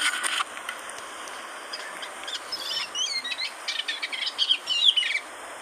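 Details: Eastern olivaceous warbler recorded in Egypt in 2012: a scratchy, chattering run of short, quick notes building in the second half, over steady background hiss.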